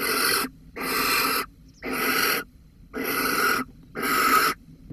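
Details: Barn owl in Holten on 13 May 2020, calling for a mouse. Rasping, breathy hisses about half a second long repeat roughly once per second, five bursts in a steady rhythm.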